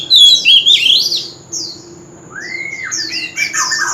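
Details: Contest fighting song of a male Oriental magpie-robin with wild-style voice: bright warbled whistles, a clear rising-falling whistled slur, then fast sharp chattering notes, with a steady high-pitched hum in the background.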